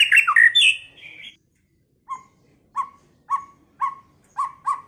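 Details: White-rumped shama, a first-season bird, singing: a loud burst of varied whistled and warbled notes, then a pause and a series of short, sharp repeated notes about every half second.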